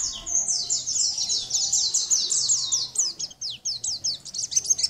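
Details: Gacor Sunda white-eye song, from a champion bird, recorded for training other birds: a rapid chain of high, slurred chirps that breaks into more spaced, sharply rising and falling notes in the final seconds.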